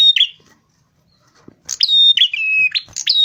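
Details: Rufous-fronted prinia song for attracting birds, sung energetically: a buzzy whistle, a long silence, then rapid phrases of sharp high notes with steady lower whistles and rasping ends.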